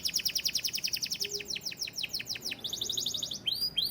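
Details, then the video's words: Song of a white canary: quick, evenly repeated downward-sweeping whistles forming a rolling tour, shifting into a short buzzy trill and ending with looping rising notes. "White Canary Sound Effect"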